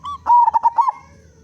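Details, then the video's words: Loud local zebra dove singing as a lure so other zebra doves start calling. One short phrase of five or six quick pulsed coos on a level, resonant pitch, ending in a fading tail. "Perkutut Lokal Gacor Suara Besar Pancingan Burung Perkutut Agar Cepat Bunyi"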